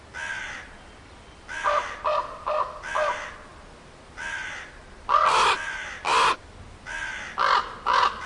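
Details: A crow caws repeatedly, harsh grating notes in clusters of three or four, some longer and noisier, over a quiet background hiss.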